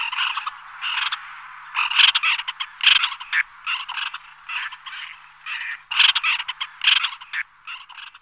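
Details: A small flock of white-winged terns (Chlidonias leucopterus) calling in flight: harsh, grating rasps in quick overlapping bursts, several birds at once with only short gaps.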